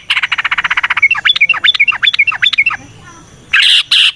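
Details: Yellow-vented bulbul singing a long rolling phrase in the wild, used as a lure: a fast even rattle of about twenty notes, then a string of slurred down-swept whistles, ending in two harsh noisy bursts.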